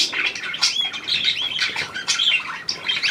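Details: Newly acquired hand-tame Australian pied budgerigar, 17 February 2023, giving rapid scratchy chirps mixed with short rising and falling whistles in a continuous warbling stream.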